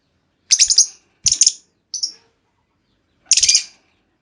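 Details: Female lovebird lure call intended to make another lovebird trill at length: loud, harsh, high-pitched chattering bursts with short gaps and a few faint knocks.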